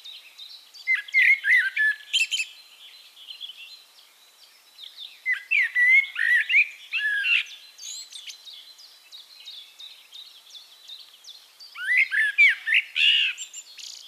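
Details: Wild Eurasian blackbird (Turdus merula) singing in Castricum, the Netherlands: phrases of rich warbled notes around mid pitch, each ending in higher squeaky twitters, separated by pauses of a few seconds; quiet outdoor background.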